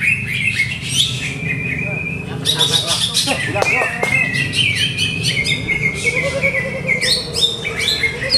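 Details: Greater green leafbird in a cage, its owner still adjusting its routine, sings a busy stream of harsh chips, trills and slurred whistles with faint voices in the background.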